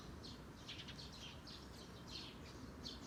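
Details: Eurasian tree sparrows chirping while blueberries are picked: a lively run of sharp, high tweets, some doubled, spaced irregularly over a constant low background hum.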